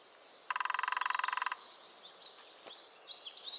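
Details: A New Forest lesser spotted woodpecker rattles out a quick drum roll of some nineteen even taps in one second, followed by faint high twittering from other birds.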